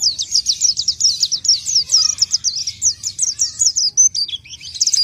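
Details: High rapid song of an orange-headed thrush (pelci): a dense train of sharp, downward-slurred notes repeated quickly, ending in varied twittering phrases, against faint low background noise.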